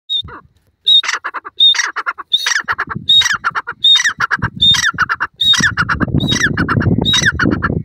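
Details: A Black Francolin gives a harsh, grating call series, each phrase opening with a thin high whistle and repeated about every three-quarters of a second; low rumbling noise builds later.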